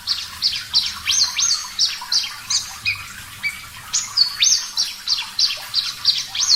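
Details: Vigorous song of a Parva-type Javan bush lark: quick clusters of rising whistled notes give way to a lower drawn-out phrase, then resume as fast, high upswept chips about three per second.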